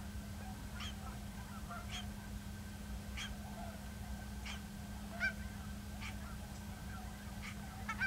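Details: Cackling goose at Ridgefield, Washington, 10 December 2012, acting as though sick; many short high honks from a distant flock, roughly one per second, over a continuous low hum and wind.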